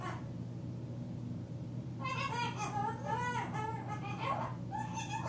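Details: A pet cockatoo talking after dark on June 6, 2010, chattering in a wavering, voice-like run of mid-pitched syllables for about three seconds, over a steady low room hum.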